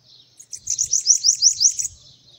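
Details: Sibite singing while perched on a hand: a brief, very high rapid trill of about seven sharp notes, lasting roughly a second.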